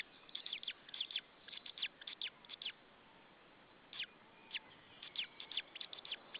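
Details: Evening of 26 April 2013 at a Saunja nest in Estonia: a male white-tailed eagle shouts while another white-tailed eagle is nearby. Quick clusters of piercing yelps, then about a second of quiet, then further scattered yelps.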